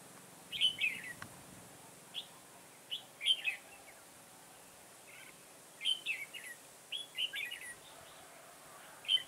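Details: Red-whiskered bulbul used in bird trapping in a garden, recorded 9 October 2017: short bright chirpy warbled phrases in bursts of two to four notes with gaps between, over a quiet background hiss.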